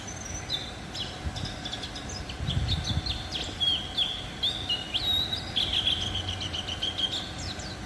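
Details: White-eye singing: rapid high twittering phrases of thin whistled notes with quick slurs and trills, delivered in a long run over steady low background rumble.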